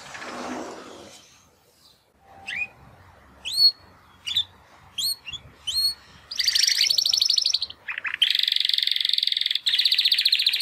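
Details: After their first molt, two young Timbrado canary brothers try singing: a noisy scrape, spaced single upward chirps, then long fast buzzy rolling trills running to the end.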